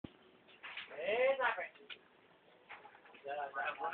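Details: Hill myna kept at a house, imitating the human shouts of street vendors it hears passing daily. A speech-like voice with harmonic, rising-falling syllables in a burst around one second, then a fainter second phrase, in a quiet small room.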